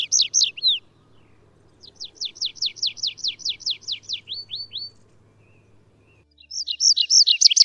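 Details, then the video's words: Atlantic canary of the Canary Islands, Azores and Madeira in song: a quick run of high downward-sweeping notes, ending in a few longer slurs, then after a silence a dense sparkling trill resumes. "Canario silvestre (Serinus canaria) Canto"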